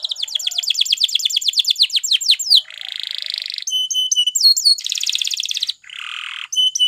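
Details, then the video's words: Spanish Timbrado canary singing for training: a fast series of falling notes, then low buzzy rolls, metallic tinkling phrases and a bright trill, one after another. "Canary Singing CHAMPION for Training / Spanish Timbrado Song"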